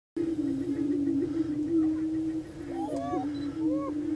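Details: Prairie chickens displaying on a lek at the Bluestem Prairie Preserve, Glyndon, Minnesota: a steady low droning hoot holds throughout, while rising whoops and cackles from several birds overlap in the second half.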